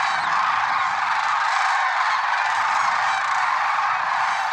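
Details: At Merced National Wildlife Refuge on a February 2023 morning, lesser sandhill cranes call together: unbroken, overlapping trumpeting and rolling notes forming an even, loud din.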